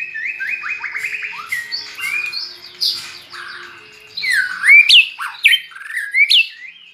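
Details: A kept white-rumped shama that learned a red-whiskered bulbul's voice sings a rapid stuttering trill, then varied loud looping whistles and sharp upswept notes.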